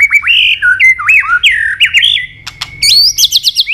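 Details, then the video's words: Murai batu, the white-rumped shama, singing hard in gacor style with isian fill-ins: loud rich whistled notes sweeping up and down in quick succession, a short pause, then higher rapid looping whistles. "Murai batu gacor isian super lengkap"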